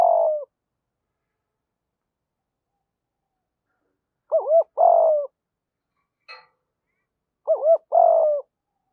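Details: Spotted dove pair, male and female, calling to stimulate training birds; two clear phrases of a doubled rising note and a long falling coo, spaced about three seconds apart, with a faint short rustle between.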